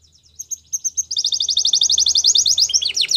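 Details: Belgian canary singing, a training song for young canaries: soft spaced chips build into a fast, loud, even trill of short notes, ending in sweeping whistles, over a low background hum.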